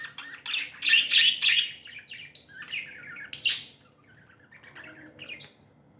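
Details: Happy pet budgerigars chirping: bursts of rapid, scratchy warbled chirps and short squeaky notes, loudest in the first two seconds, then softer chattering with brief pauses near the end.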